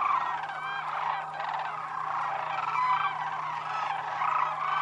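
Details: Sandhill cranes on their wintering grounds at Whitewater Draw Wildlife Area, Arizona; clear rattling, trumpeting calls from many birds overlap in a loud, unbroken chorus over a faint low hum.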